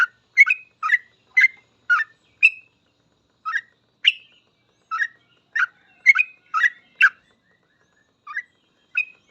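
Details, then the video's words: Sooty-headed bulbul in energetic 'full ropel' song, used as a training master: spaced, liquid whistled notes with uneven gaps, some rising and some falling, against a quiet background. "Suara trucukan gacor full ropel ini cocok banget buat masteran trucuk agar cepat ikut ropel"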